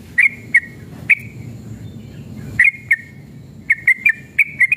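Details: Yellow-vented bulbul (trucukan) in an excited, fighting mood, used as a lure to make other trucukan sing. Short, bright chirped notes come in scattered bursts, with pauses of over a second between groups, over a low steady hum.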